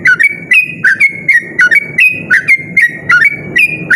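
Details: Loud 'ropel' song of a yellow-vented bulbul: crisp, whistled notes flicking upward or downward in quick succession, about three a second, with a rhythmic low rumble beneath.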